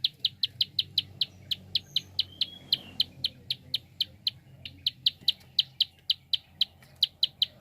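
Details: Prinia giving a fast clicking call used to stimulate other birds to sing: sharp, high dry clicks repeated about three to four times a second for the whole stretch, with a faint low background hum.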